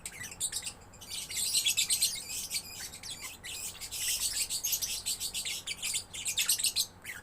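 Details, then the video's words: A lovebird chick sings busily with nearly continuous shrill, scratchy twittering. It swells into long dense stretches broken by brief clicking pauses, with a faint hum behind. "Love Bird Gacor anakan"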